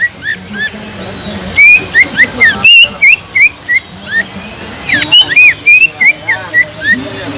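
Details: Greater green leafbird in constant song, intended to rouse other leafbirds: soft notes at first, then a lively stream of rising and falling whistles with occasional sharp clicks.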